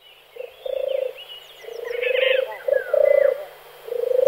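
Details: European turtle dove male purring, rolling vibrating phrases of varied length in quick succession, with a brief chattering burst and scattered chirps of other birds in the background.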